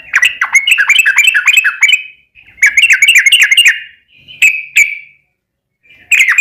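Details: Sooty-headed bulbul lure recording: two fast bubbling phrases of short slurred notes, then a couple of separate clear whistles and the start of another phrase.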